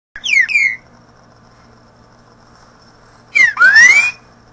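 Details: Green-winged saltator song for teaching young birds to sing: a short phrase of two or three clear downslurred whistles, then after a pause a loud rising and falling whistled phrase; faint steady hum beneath.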